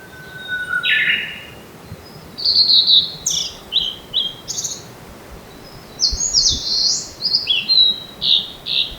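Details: Blue-and-white flycatcher song during a territorial dispute between two birds in Japan in April: a low burred note, then clear high whistles in short sliding phrases, pausing and resuming with quick rising and falling notes.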